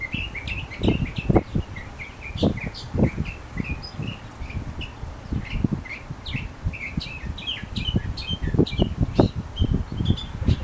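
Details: A wild sooty-headed bulbul in full song, pouring out brisk chirped and whistled notes, some rising, some falling, in a long busy chatter, against constant low rumble and thumping noise.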